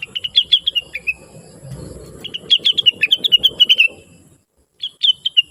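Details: Chatty, sweet song of a blue-winged leafbird (cucak wilis) kept as a master recording for trucukan and other birds. Rapid tumbling chirps in three runs, with a brief silence before the last, over a low murmur.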